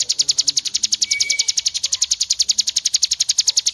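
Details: White-rumped shama tembakan song used as training master: a very fast, regular machine-gun burst of high piercing notes, about ten per second, unbroken throughout.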